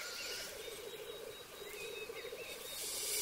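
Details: Black grouse on a lek arena, males displaying before mating: steady low bubbling coos in rolling pulses, with faint thin whistles from other birds and a hiss at the end.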